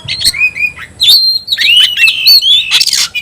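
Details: Oriental magpie-robin singing in the 'tayoraky' style, with long, sweet whistled glides and a quick warble, ending in a harsh, broad rasp.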